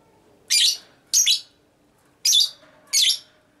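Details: Female lovebird in minor-tone konslet style ngekek, used to draw responses from other lovebirds: four harsh chattering bursts at uneven spacing, the second doubled.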